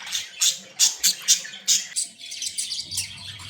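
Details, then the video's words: Budgerigars, happy and playing, calling with a run of sharp, loud chirps about every quarter second, then a softer, busier warbling chatter, with a faint low hum underneath. "10 Minutes of Happy & Playing Beautiful Budgies sounds for Lonely birds"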